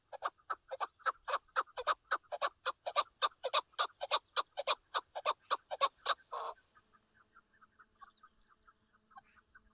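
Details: Chukar partridge during a partridge hunt, delivering a clean, regular chuck-chuck series of about 107 notes a minute that ends in a longer harsh note, followed by faint distant calling in a quiet setting.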